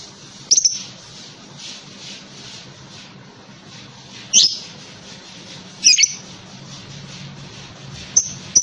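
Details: Lovebird giving a few sharp, very high chirps spaced several seconds apart over a steady hiss and low hum.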